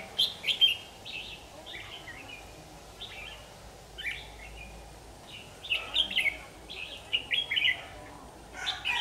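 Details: Red-whiskered bulbul in fighting song, captured on an AX40 4K camcorder: bright chattering phrases about a second apart, several clustered quickly toward the end, set against a constant rustling background.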